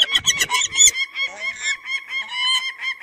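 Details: Peregrine falcon giving harsh, nasal harmonic calls. A brief burst of broadband noise opens the clip, then a steady run of short repeated notes with slightly wavering pitch follows.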